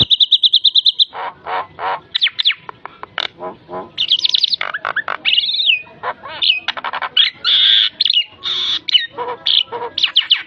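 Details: Javan myna in full varied song, used as a tutor and lure for songbirds: a fast run of repeated clear whistled notes, then dense bursts of harsh rasping, buzzy and whistled phrases that shift constantly in pitch.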